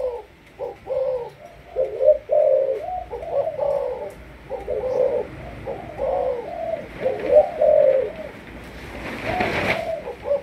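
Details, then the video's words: Malaysian-line spotted dove, a captive decoy, cooing in a long series of throaty phrases; a brief loud rustle near the end. "Cu gáy Malaysia"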